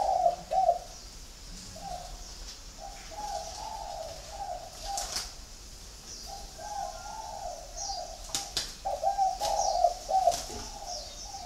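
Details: A flock of spotted doves held in captivity in Ba Vì, Hanoi, Vietnam. Several birds coo almost continuously in overlapping hoarse phrases. Occasional clicks and knocks and faint high chirps are also heard.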